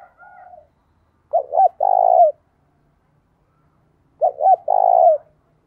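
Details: Spotted dove decoy bird cooing to provoke other doves into calling quickly: a soft low coo, then two phrases about three seconds apart, each two short hooked notes followed by a longer buzzy held note that drops at the end; otherwise quiet.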